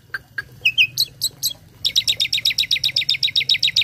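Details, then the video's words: Song of a tame caged starling filled with imitated sounds, meant as tutor material that other birds answer: a few varied chirps and whistles, then a fast, even series of sharp high notes, about four per second. "Burung Jalak Jinak Isian Nembak || Cocok untuk masteran burung lain langsung nyaut"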